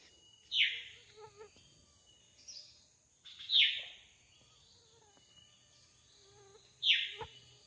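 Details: Drongo calling in the wild, giving three strong downward-sweeping harsh notes spaced irregularly, with quiet whistled fragments and short chips in between and a faint low background hum.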